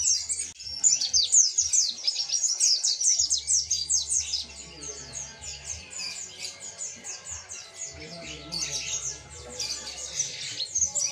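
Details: Mountain white-eye of the montanus type in full, persistent song used as a tutor recording; fast, high-pitched chattering twitters pouring out almost without pause, slightly quieter midway, over a low steady hum.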